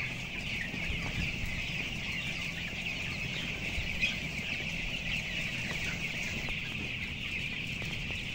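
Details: Dense chorus from 11,000 broiler chickens aged 14 days, about 525 grams each, housed on the upper floor of a closed house; countless high chirps blend into a constant shrill wash over low fan-like rumble.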